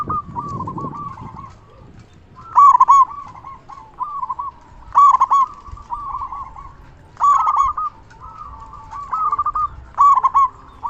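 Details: Loud local zebra dove calling energetically as a lure for other zebra doves. Rhythmic phrases of rolling, staccato coos repeat about every two and a half seconds, each opening with an accented note, over faint low background noise.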